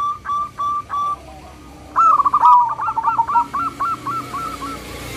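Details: Local zebra dove with a loud, clear 'crystal' voice, used as a lure to set other doves calling: a few short cooing notes, then a longer run of rhythmic rolling coos repeated about every quarter second, over low background hum.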